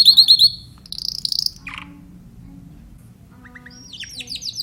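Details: Timbrado canary giving short bursts of song: quick high chirped notes, a brief buzzy phrase, a pause, then a few rising notes and a renewed high trill.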